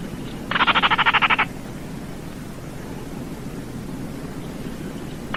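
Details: A single dry, clicking rattle from a Baillon's crake, lasting about a second, followed by four seconds of only a faint steady hiss.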